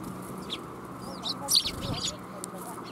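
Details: Sparrows gathering to be fed at a Tenmangu shrine on New Year's Day 2021 give a lively run of high, twittering chirps, some slurred, mostly in the first two seconds, above a faint low hum.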